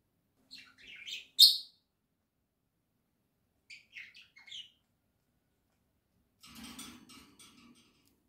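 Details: Pet budgerigars from a small indoor flock, filmed in October 2024, singing: three short bouts of chirpy, buzzy warbling notes with quick pitch jumps, separated by silent gaps, the last bout softer and scratchier.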